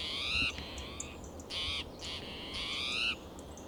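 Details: Spotted towhee sounding alarm among coast live oak and Monterey pine, Del Monte Forest, California, June morning; three long buzzy, nasal mews with strong overtones, each about half a second, separated by softer fainter calls.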